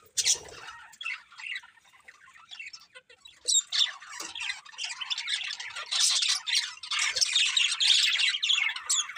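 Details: Budgerigars chirping nearly nonstop, a busy chatter of high squawks, warbles and quick tweets with rising and falling intensity, growing denser toward the end.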